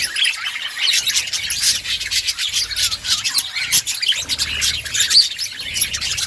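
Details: Outdoor budgerigar colony with a continuous, thin, high chattering of many birds, rapid chirps layered over one another.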